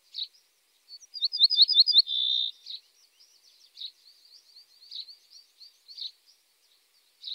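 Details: Song of a common starling: a fast series of high slurred whistles ending in a steady held tone, followed by a rambling stream of soft twittering, clicks and short chirps at regular intervals.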